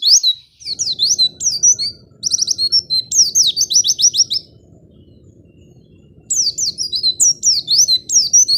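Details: High white-eye song meant to get reluctant white-eyes singing; rapid swept whistles in bursts, with a steady low rumbling noise beneath and a quiet gap of about two seconds.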